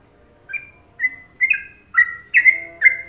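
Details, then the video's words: Indonesian sooty-headed bulbul, trucukan song style: after a brief silence, clear whistled double notes with falling tails follow roughly every half second, getting louder toward the end; faint low hum underneath. "Masteran Trucuk Indonesia"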